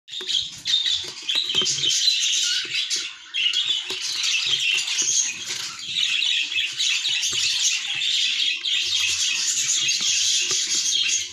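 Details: Budgerigar chick on its last day of weaning, kept indoors, giving continuous high, scratchy, buzzy chatter and rapid squeaky notes with barely a pause, with soft low thumps and fluttering beneath.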